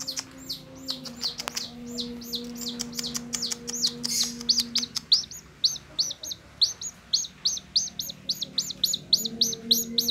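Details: A tame chicken chick that stays close to its carer and runs toward the carer's fingers gives high, falling peeps, at first loose and uneven, then steady at about three a second, with a low electrical hum behind.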